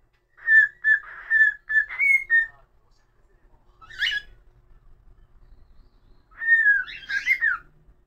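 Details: Whistled tune from a pet cockatiel: a quick row of clear notes ending on a higher one, a single harsh chirp, then a wavering descending whistle with buzzy overtones.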